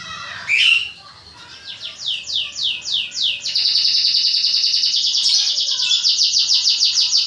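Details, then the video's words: Songbird being trained for local and national song contests by duelling voices with other songbirds. A harsh opening note is followed by descending whistled sweeps, about three per second, then a continuous rapid buzzy trill. "Cara Melatih Burung Ocehan Untuk Kontes Burung"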